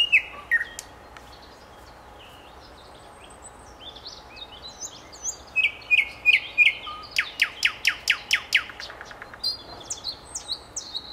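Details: Common nightingale's varied phrases open with scattered whistles and chirps, then build into a fast, loud series of upswept repeated notes before trailing off into softer high notes.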